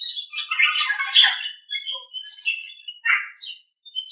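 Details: Nias hill myna in a training recording for other birds: a harsh, broad squawking burst opens, followed by scattered clear whistles and short chattering notes separated by small gaps.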